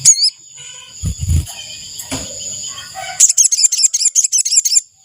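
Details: Ashy tailorbird call used as a lure for trapping wild birds: a fast burst of sharp, high, repeated chipping notes in the second half. A steady high insect-like drone and low thumping handling noises come before it.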